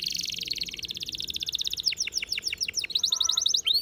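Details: Training song from a canary over a steady background hiss: a long, rapid, even trill, then a sequence of sharp falling whistled notes and another quick trill.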